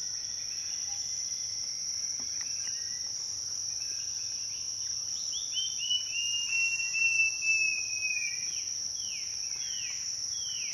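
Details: Black-capped babbler (Pellorneum capistratum) call: clear whistled notes slide downward in a quick series, then several short down-slurred whistles, over a steady high insect drone.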